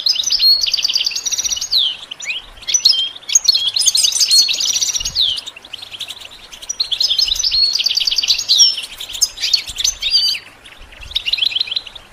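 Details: Goldfinch song meant to train songbirds, delivered as dense, rattling twittered phrases of several seconds each, separated by brief gaps, with occasional clear whistles.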